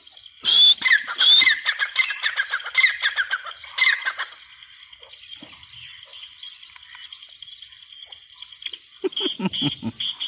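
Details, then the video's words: Grey francolin, known locally as teetar, giving a loud series of harsh, rapidly repeated notes for about four seconds, then a steady high hiss and a few lower rough notes near the end. "gray francolin teetar sound"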